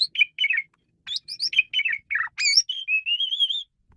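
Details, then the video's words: Asian pied starling in full song, offered as a tutor recording for training songbirds: rapid varied chatter of slurred whistles and squeaky notes, ending in a long wavering warble. "Ocehan Burung Jalak Suren"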